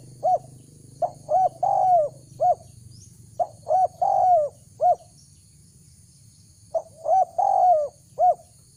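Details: Spotted dove call used to lure wild doves: three cooing phrases about three and a half seconds apart, each of short arched notes around a longer rolling coo, with a faint steady high hiss throughout.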